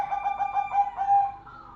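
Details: Golden perkutut, the zebra dove, singing energetically: a run of soft, pulsed cooing notes at a steady low-middle pitch, followed by a longer drawn-out coo that fades near the end.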